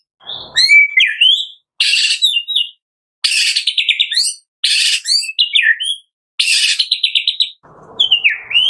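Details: Full filler-style song of a Medan white-rumped shama: bursts of loud, buzzy, rasping phrases alternating with swooping whistles, in short separated bouts.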